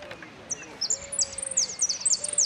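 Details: Saffron finch singing in the "El Cristalino" style, with parts called prio, golpe and pitadas: very high, sharp, clipped whistled notes, some sliding downward, delivered in quick irregular bursts over faint background hiss.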